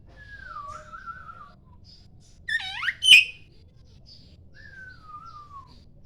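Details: A poci Oriental magpie-robin singing actively in the morning as a lure for other magpie-robins: a wavering, slightly falling whistle, a burst of tumbling downward sweeps with a hard crack, then another wavering descending whistle.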